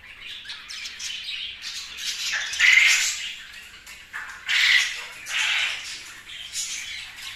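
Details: Captive budgerigars giving rough, scratchy squawks and warbled chirps in clustered bursts, swelling and fading several times.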